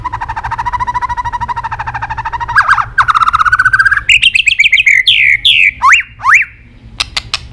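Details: White-rumped shama in excited fighting song with tail-snapping: a long, rapid, rattling trill, then a rising buzzy trill, and then clear whistles that swoop up and down, ending in sharp clicks.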